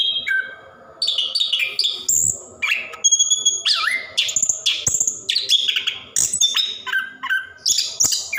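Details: Orange-headed thrush singing a long 'ngerol' rolling song used as a lure for quiet caged birds; string of clear whistled tones, short buzzy notes and downward slurs, steady phrase after phrase.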